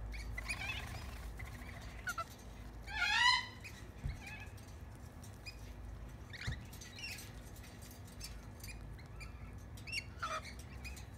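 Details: Backyard lorikeets being hand fed bread crust: scattered short chips, then a loud rasping, wavering screech around three seconds, with further brief harsh notes spaced out afterwards.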